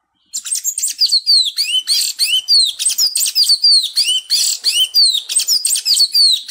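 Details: Sayaca Tanager song from Brazil: a continuous, hurried stream of high squeaky notes with quick up-and-down slurs, repeated without pause for several seconds.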